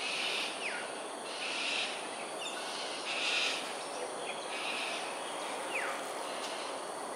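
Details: Cockatoos in an aerial display at Sungei Ulu Pandan, Singapore, on 13 January 2022 at 7.43am. Harsh, broad, rasping screeches come about every second over steady insect and ambient hiss.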